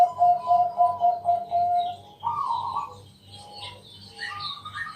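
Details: Bangkok zebra dove cooing at night as a lure for other doves: a row of quick rhythmic coos over the first two seconds, then a blurred longer note and fainter chirps over a low hum.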